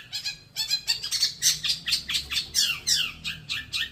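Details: Young Long-tailed Shrike kept and trained to sing frequently. It makes rapid, rhythmic, scratchy chattering notes, roughly four per second, sliding downward toward the end.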